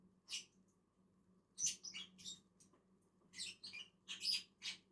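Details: While two lovebirds eat on a tree, harsh high chirps sound in loose groups, quickening into a rapid run of squeaky notes toward the end.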